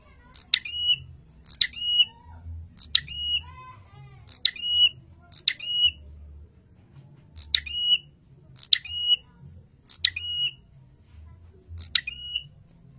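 A prinia gives sharp, high chipping bursts, each a quick stack of notes with a ringing tail, repeated about every one to two seconds over low background hum.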